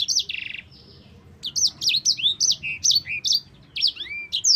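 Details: Yellow-fronted canary (sanger) singing for tutoring other songbirds: opens with a short buzzy rattle, then after a brief gap a string of loud, evenly spaced high whistled slurs and downward sweeps.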